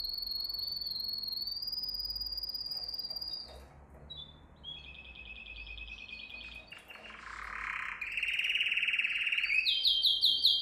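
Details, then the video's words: Canary training song: a long thin high whistle, a quiet gap with faint background hiss, then buzzy rolling trills and sharp repeated chirps building louder at the end. "Most powerful song for training Canary"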